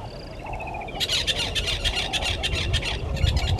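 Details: Red-billed hornbill at its nest tree by Gowrie dam, Djuma Game Reserve, Sabi Sand Wildtuin, South Africa, 10:09 on 30 January 2020, live waterhole camera; a quick run of harsh clucking notes, about three per second, after a thin trill, over low rumble.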